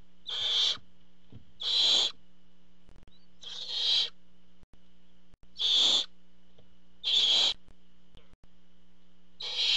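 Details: Barn owls calling at the nest when the father brings food: six rasping hissed screeches repeated every one to two seconds, fairly steady, with a faint background hum and occasional clicks.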